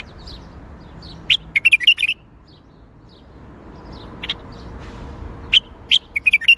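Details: Bulbul singing in the Baghdadi song style: two bursts of short, bright warbled notes, chirpy and slightly fluty, separated by about four seconds of quiet with a faint low hum.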